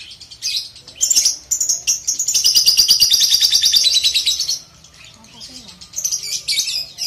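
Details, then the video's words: Balibu lovebird ngekek used to train young birds: short chirps lead into a sustained, fast rattling chatter of high pulses lasting about three seconds, then a pause and a few more bursts of chirping. "terapi ngetik,ngekek lovebird balibu"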